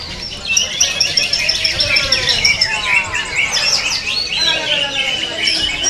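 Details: Several greater green leafbirds dueling in a singing-competition class give a dense, continuous tangle of bright whistles, rapid chatters and slurred notes that overlap without pause.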